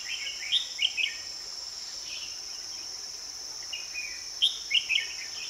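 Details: Red-whiskered bulbul singing during a bird-trapping session on 2 May 2020, with a decoy bird set out to lure wild birds. Two bursts of short warbled, bubbly phrases about four seconds apart, over a steady high insect drone.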